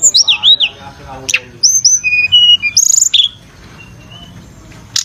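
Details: High-pitched flowerpecker song of wavering, slurred squeaky notes and brief thin whistles. A rapid chattering burst is followed by quieter fading chips.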